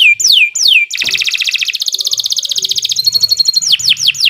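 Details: Non-stop canary song meant to stimulate other canaries into singing: a few falling whistled slurs, then a long rapid rolled trill, a brief high ringing note and more downward whistles.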